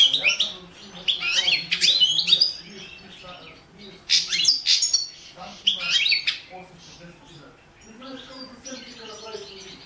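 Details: Competition recording of a Balkan goldfinch, subspecies balcanica, for a 2017 world song championship under a Serbian breeders' association; dense chattering, buzzy twitter phrases for most of the span, trailing into softer, lower chirps.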